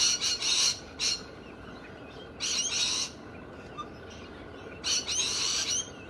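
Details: Galahs from Australia, said to be bold and loud, give harsh grating screeches in separate bursts about every two seconds, with quiet gaps between.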